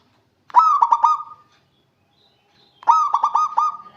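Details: Local Indonesian zebra dove singing actively to call rivals: two cooing phrases, each a mellow opening note followed by three or four quick stuttering coos that end in a held tone, separated by about two seconds of silence.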